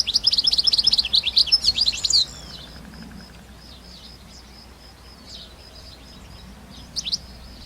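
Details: European goldfinch in nature, opening with about two seconds of rapid, tinkling high twitters. Mostly quiet follows, with a faint steady high tone and one brief chirp near the end.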